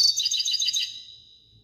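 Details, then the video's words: A short phrase of European goldfinch song: about one second of quick, high, tinkling twitters that fade out into quiet. "تغريد حسون"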